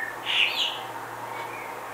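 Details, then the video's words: A singing female common blackbird, filmed from a window hide in Budapest on 11 May 2020, gives one brief, high, squeaky twittering phrase, with a faint low hum underneath. "Éneklő TOJÓ fekete rigó / Singing FEMALE Common Blackbird"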